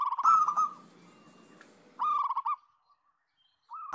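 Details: Local zebra doves singing in a lure recording meant to revive doves that have stopped singing; clipped, rolling coo phrases in bursts, fading into soft single notes before another phrase begins.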